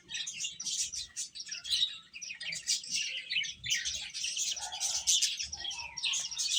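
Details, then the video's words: Domestic chicks chirping while eating, a dense, continuous chorus of high, thin peeps overlapping throughout, with a few softer, lower notes in the background. "Beautiful Chicks Chirping Sounds | Baby Hen Eating"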